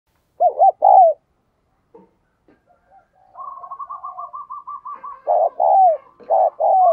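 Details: Lure spotted dove cooing and calling: two loud, hooting coo phrases with a downward-curving final note, then a fast run of about fifteen even, ticking pulses, followed by more throaty coos.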